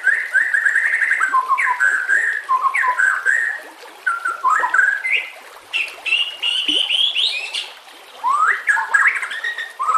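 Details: White-rumped shama song for training, laid over nature sounds and trickling water: dense warbled whistles and chattering phrases, with brief pauses and high fine notes in the background.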